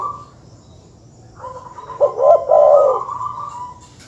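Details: Dove calling to provoke rival birds: a soft lead-in note, then a single phrase of stuttered coos ending in a drawn-out warbling roll that fades away.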